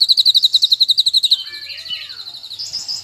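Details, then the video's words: Bulbul known locally as cucak kinoi, singing loudly: a fast, even trill of about fifteen sharp high notes in just over a second, then lower slurred and falling whistles, ending in a thin high twitter. "Burung cucak kinoi nyaring kicauanya"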